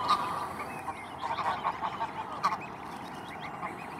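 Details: Among millions of white flowers, dozens of Arctic geese with chicks give quick nasal honks, clustered in a brief burst with one louder call, then quieter, over a constant hiss.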